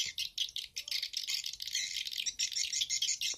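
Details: Phone-made stereo lure of edible-nest swiftlets, Bulan Madu and Black Phoenix styles: fast, high twittering chirps in quick pulsing bursts, dense throughout, with no other sounds.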